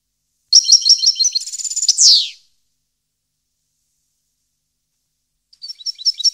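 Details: European goldfinch, recorded 2015: a single high twittering phrase with a fast trill and a buzzy falling sweep, followed by long silence and the faint opening of another phrase.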